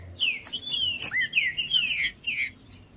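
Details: Green-winged saltator song, played to encourage a cold bird to sing; a long sweeping whistle followed by a string of clear slurred notes, dying away after two and a half seconds.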